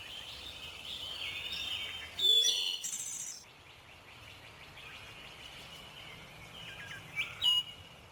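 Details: Wood Thrush, an interior forest specialist, sings at the spring dawn chorus in the Ozarks: a flute-like phrase of a few low notes, then a clear ringing whistle and a high, shimmering trill, with other birds calling faintly behind.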